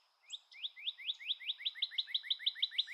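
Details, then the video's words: Small birds chirping: quick upward-sweeping high notes repeated steadily about three times a second, growing louder and faster, with a faint steady high tone behind. "Relaxing Bird Humming Sounds"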